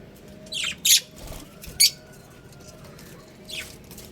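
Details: Pet budgerigar colony: a few scratchy, high squawking chirps come in two quick pairs, then a pause and one softer chirp, over a low background hum.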